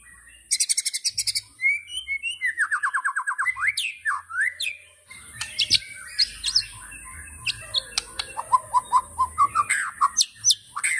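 A white-rumped shama sings a rich, varied run of rapid trills, slurred whistles and sharp chattering notes, with a steady high insect-like hiss behind.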